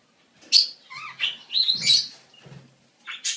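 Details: Budgerigar mating-season chatter: a quick varied warble of squeaks, short whistled slurs and buzzy chirps strung together with little pause, ending in one bright high chirp.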